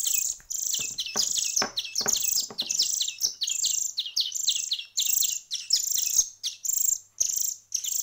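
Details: Hand-fed songbird chicks, about one week into hand rearing, beg with loud, harsh, buzzy high chirps repeated almost continuously, each call a rasping squeal with a lower tail, broken by short gaps.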